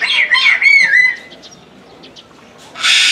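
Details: Moluccan cockatoo calling repeatedly at Omiya Park Small Zoo, Japan, December 2017. A quick burst of about four harsh, grating squawks fills the first second, then a quiet pause, then a loud, raspy, broadband screech starts near the end.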